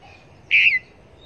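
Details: Single bright, slightly descending whistled note from a Red-whiskered bulbul kept as a trapping decoy in Long Thành.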